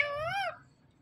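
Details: Indian ringneck parakeet talking indoors: one short voiced word, half a second long, with a nasal, rising-then-falling tone rich in overtones, followed by quiet room noise.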